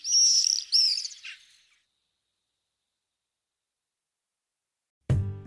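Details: Black swifts (Cypseloides niger), endangered, at Marble Canyon, Kootenay National Park, beside the Kootenay River in a steep rocky canyon, early morning: two quick bursts of high, sharp, buzzy twittering as group members call to each other, then silence; music at end.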